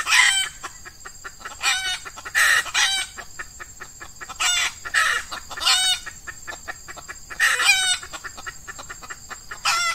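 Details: Red junglefowl drawn by an F1 female decoy during Ramadan, with males in breeding mood on a hot, early morning: loud, harsh, rasping bursts every one to two seconds over constant rapid ticking.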